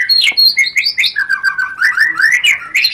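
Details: White-rumped shama song used to stir breeding readiness, loud rapid chattering phrases sliding between high and mid pitches, repeated bursts about every quarter second, with a falling then rising ripple of notes.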